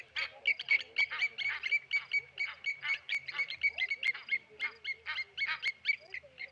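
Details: Several Blacksmith lapwings dive-bombing a Tawny Eagle at Okaukuejo waterhole, Namibia, give sharp metallic 'tink' notes, about four a second, in a ringing, overlapping volley like hammers striking an anvil.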